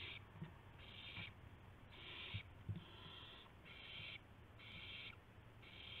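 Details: Owls around 5:51 AM on 26 March 2016 as a mouse and a gopher are brought in; rough, breathy hisses repeat about once a second, with scattered thumps and low hum beneath.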